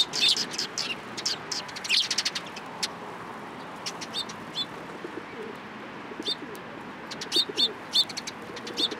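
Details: Sparrows coming close to be fed at a Tenmangu shrine on March 29, 2023, giving bright, quick chirps in clustered bursts, with quieter gaps and faint background hum.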